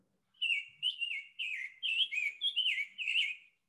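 A Summer Tanager sings a quick run of about nine short, robin-like warbled phrases, less raspy and clearer than a Scarlet Tanager's, with no other sounds.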